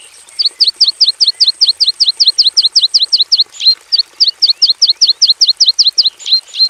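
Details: Javan bush lark (branjangan javanica) in an aviary cage, giving a long fast run of high sharp downslurred chirps, briefly broken then resumed with slightly varied notes; faint high hiss early on.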